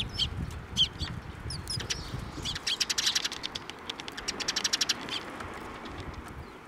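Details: Sparrows flying in to be fed at a Tenmangu shrine on 19 April 2024; short high chirps scattered through the first seconds, then a run of quick wingbeat flutters with more chirping, over low rumbling background noise.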